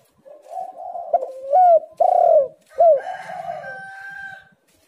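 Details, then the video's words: Spotted dove in energetic song, used as a lure to get lazy doves calling. Low cooing leads to loud, overdriven hoots and a long falling coo, then trails into softer coos with faint higher background sounds. "tekukur super gacor Suara HAS pancingan untuk burung yang malas bunyi"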